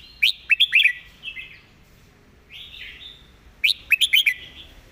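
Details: Red-whiskered bulbul delivering a master song with clear, distinct notes: two loud phrases of rapid, sweet chirped whistles, separated by a gentle, drawn-out warble.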